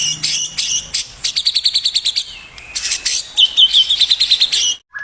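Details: A white-rumped shama's full-repertoire song, for luring other shamas: rapid series of sharp high chipping notes in bursts, then a quick buzzy trill, ending in one short lower whistle.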